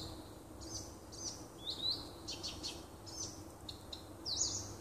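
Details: Singing nightingale in woodland by a house, June 2015: quick rising notes and sharp clicks spaced about half a second apart, with a high buzzy flourish at the end.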